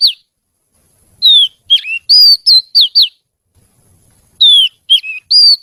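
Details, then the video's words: Kacer, the oriental magpie-robin, in lively, sweet song. A burst of six quick whistled notes with falling and level slurs, a pause of about a second, then another run of bright whistles, clean with no other sounds. "Suara Kicau Kacer Gacor Merdu"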